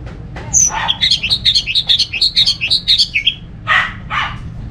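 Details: Orange-headed thrush from Singaraja, North Bali, Indonesia, played to prompt other thrushes into song: a fast run of bright, varied whistled notes repeated rhythmically for about three seconds, followed by two broad harsh bursts, with faint low background hum.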